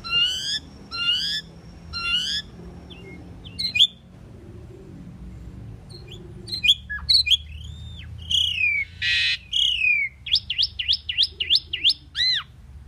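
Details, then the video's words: Pied myna song: spaced harsh buzzy notes, a quiet pause, then a lively mix of slurred whistles, a rasping burst, and a fast string of repeated sharp up-down notes. "Common pied myna bird song /Indian maina sound /mynah singing"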